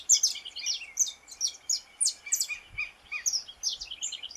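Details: Brazilian saffron finch song: bright, piercing chirps and quick downslurred notes delivered in a rapid, uneven string, with a faint steady tone running underneath.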